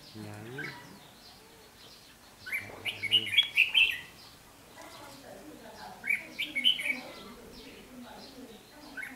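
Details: Red-whiskered bulbul at a fighting trap on 8 July 2016, threatening a decoy bird: two bursts of loud warbling, rapid chirped notes, with a low voice briefly audible at the start.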